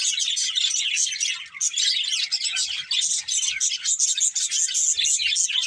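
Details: Budgies of a breeding pair chattering: a dense, scratchy warble of high chirps and tweets, dipping briefly around halfway, then resuming just as busy.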